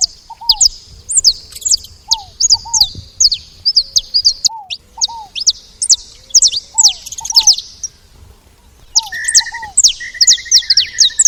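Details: Steady chatter of saffron finches at a feeder, with rapid high descending chirps in repeated bursts, a brief lull, then a buzzy trill. Lower curved whistles sound between the bursts.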